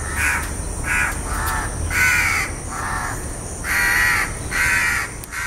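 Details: House crow giving a long series of grating caws, eight or so harsh bursts of varying length with brief gaps, low hum beneath.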